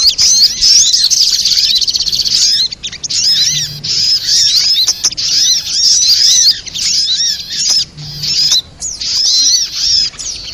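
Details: Bird-trapping lure of the sogok ontong, a spiderhunter: shrill high chatter delivered in bursts of one to two seconds, each laced with repeated lower arched whistles and separated by short silences.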